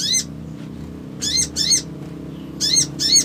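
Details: Male crimson sunbird calling to provoke a response, giving short buzzy chirps with a low rising-falling stroke, in pairs and singles separated by pauses; faint low hum beneath.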